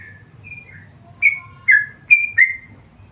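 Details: Tame yellow-vented bulbul giving a few separate whistled notes, soft at first, then four louder bright slurred chirps in quick succession over a quiet low hum.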